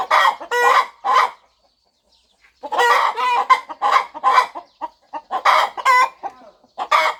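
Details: Farm hen fluffed over her nest ahead of hatching, clucking. Three loud throaty clucks, a silent gap of about a second, then a busy run of clucks of mixed loudness.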